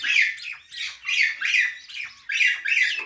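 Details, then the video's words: Rapid run of harsh parrot chirps, six rasping bursts in about three seconds, evenly loud with short dips between. "Natural Parrot Chirping Sounds"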